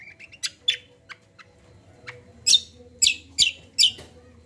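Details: A common iora gives a gacor combo song for coaxing untrained birds: soft short whistled notes at first, then loud, harsh, high chirps repeated about every half second toward the end, with a faint hum behind.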